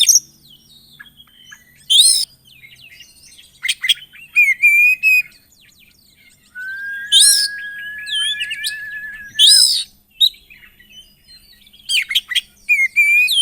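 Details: Oriental magpie-robin (kacer) in full 'gacor isian' song, a loud, busy singing style packed with varied fill phrases. Bursts of sharp high chirps alternate with a long, steady, level whistle held about three seconds, then more rapid trills and sweeps.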